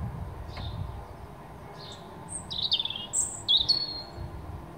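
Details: European robin in the morning giving thin, high, spaced notes that build into brighter trilled and warbled phrases toward the end, with soft low background rumble.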